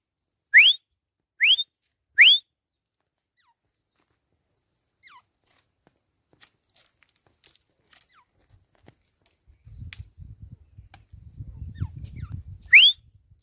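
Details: Three clean, sharply rising whistles from a caged Grey Francolin on a swing come about three-quarters of a second apart. A long quiet stretch with soft low rumbling follows before a single final whistle.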